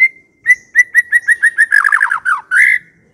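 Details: White-rumped shama singing as a lure to make other shamas reply: a steady series of short, evenly spaced whistled notes that speeds into a descending warbled trill and ends on one long, rich whistle.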